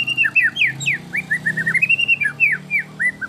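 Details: Competition song of a white-rumped shama, a rich fill-in style favoured by judges: a fast, varied run of short slurred whistles, rising and falling notes delivered almost without pause, with a low steady hum beneath.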